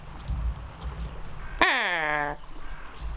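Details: Female raven in an aviary, caught by a hidden camera while chatty, mimicking a Harris's Hawk call: one loud, harsh, ringing scream that slides downward and fades over under a second, with a quiet spoken greeting before and after.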